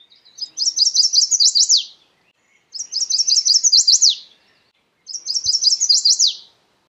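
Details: Chestnut-sided warbler singing three evenly spaced phrases, each a rapid ladder of high sweet notes capped by an emphatic descending ending, about every two and a half seconds; one soft click in the pause.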